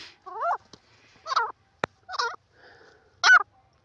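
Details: Grey francolin (jungli teetar) in the jungle, giving four separate harsh, twisting harmonic notes, each under half a second long, with one sharp click between them.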